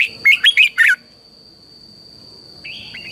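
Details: Red-whiskered bulbul singing in the morning as a training lure: four loud, rapid warbled notes in quick succession, then silence and a soft sliding phrase, over a steady high-pitched whine.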